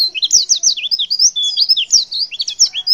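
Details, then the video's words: Female white-eye uttering a breathless stream of high, thin chirps, some rising and some falling, delivered several per second without pause; the call serves to make males respond. "Suara CALL PLECI BETINA Super Lenjeh BIKIN Pleci Jenis Apapun Cepat Respon & gacor"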